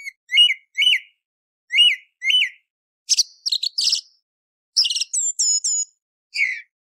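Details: Song thrush singing before dawn, for hunting: a mellow looped whistle repeated twice, then again twice, followed by sharp chattering notes and thin, high whistled phrases; no other sounds.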